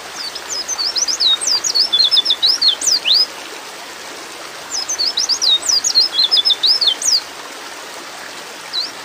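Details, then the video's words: Female white-eye calling to a male while in breeding mood: two bursts of rapid, high, thin chirps and twittering notes, each about three seconds long and separated by a pause, with a faint short note near the end. "terapi pleci bikin cepat ngalas"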